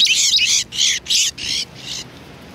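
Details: Sparrows being fed at a Tenmangu shrine in February 2020 give five loud, harsh, broad chirps in quick succession, fading toward the end.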